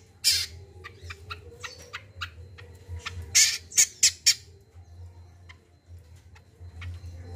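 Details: Common iora, 'kacial kombo gacor' lure recording for newly caught birds: a chattering series of harsh, rasping bursts, loudest in a tight cluster of four near the middle, then quieter scratchy notes, with a constant low hum underneath.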